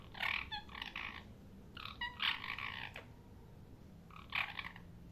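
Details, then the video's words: A parrot gives harsh, grating screeches in three noisy bursts, with short clicking chirps between them. Quiet gaps separate the bursts. "parrot chirping sound| parrot sound | parrot voice"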